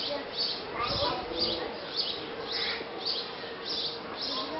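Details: A foster-reared bearded vulture chick, later released to the wild, gives thin, high, scratchy cheeps, repeated almost twice a second, with people talking in the background.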